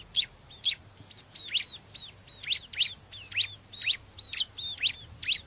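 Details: Bar-winged prinia by a river, a recording meant to lure wild birds: bright, high, slurred chirps repeated steadily about twice a second, each note rising then dropping, with soft low hum beneath.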